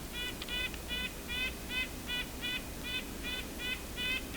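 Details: Red-breasted nuthatch in winter in Ontario during a Christmas Bird Count, calling after pishing drew it in: a steady series of short nasal, tooting notes repeated about every third of a second, with a low background hum.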